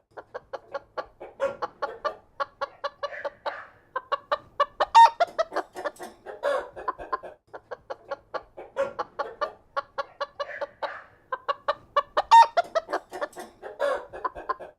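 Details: Chickens in a barn clucking continuously in a dense flock chorus, short repeated harmonic clucks overlapping throughout with occasional louder squawks standing out.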